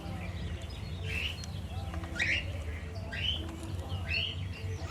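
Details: Lutino cockatiel in a household flock with budgies and lovebirds, repeating four short, rasping, upward-sweeping chirps about one per second over a loud low droning hum.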